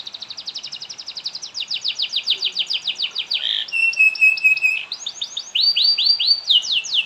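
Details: Canary singing a long continuous song made to set other canaries singing: fast buzzy trills shift into repeated descending slurred notes, a steady whistled tone, then rising swept phrases.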